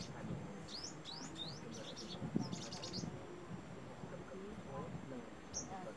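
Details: Brown-throated sunbird in Cambodia: a quick series of five or six thin, high, upslurred chip notes, then a brief burst of short chirps, then near silence apart from a faint rumble of background noise.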